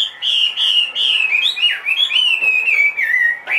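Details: Chinese hwamei, large-bodied and two and a half years old, kept caged, singing loud, clear, sustained whistles in steady, slightly wavering phrases that step gradually downward, with brief breaks between them.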